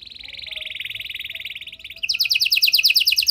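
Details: Canary in long-duration song used to draw other canaries into singing: a steady buzzy trill, then quicker repeated chirping notes; faint background noise.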